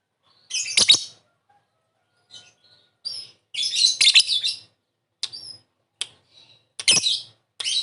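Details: Lovebird calling, used as a lure for quick response; irregular bursts of harsh chirps and squawks with short thin high notes and gaps of silence between.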